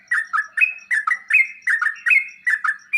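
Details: Short passage of sooty-headed bulbul song used to make caged birds respond: crisp paired chirps, each a quick drop in pitch, alternating with a few longer, higher whistled notes.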